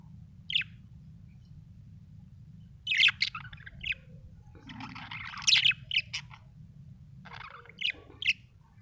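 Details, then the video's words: Happy budgerigar chirping in irregular bursts of short bright warbled notes, some grouped in quick runs, separated by quiet gaps, over a low hum. "Happy budgie chirping sound"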